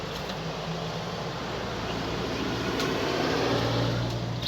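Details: Steady low mechanical hum, like an engine or fan, with a faint higher hiss and no animal calls.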